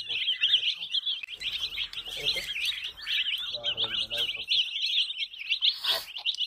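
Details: Several young chicks peeping continuously in high, shrill, rapidly repeated notes, a dense overlapping chorus with faint low background rumble and a brief louder noise near the end.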